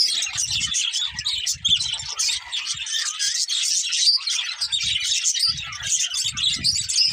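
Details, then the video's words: Budgerigars, a colourful breeding pair, produce steady high twittering and chirping chatter, with a few soft low thuds heard in the background. "Colourful Budgies Chirping Sounds"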